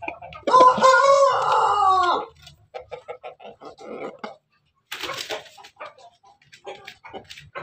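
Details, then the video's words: Pelung chicken at night: a single rich, harmonic crow held for about a second and a half, sagging slightly at the end, followed by quieter rapid clucks and chatter. "ayam pelung malam.hari"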